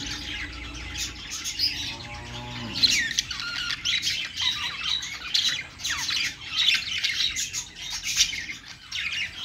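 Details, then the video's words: A perch of budgerigars in full song: a low mechanical hum and a brief descending tone at the start, then nonstop scratchy warbling and buzzy squawks rising and falling in bursts. "budgies singing on perch"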